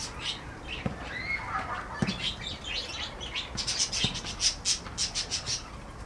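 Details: A flock of parakeets in a birdhouse: scattered chirps and a rising squawk, then rapid high chirps repeated several times a second near the end, with occasional wing flaps.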